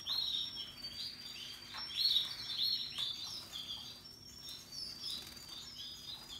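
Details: Canaries, Russian yellow and Timbrado, singing happily among other birds: bright high chirped notes repeated in short bursts about once a second, with faint warbling in between.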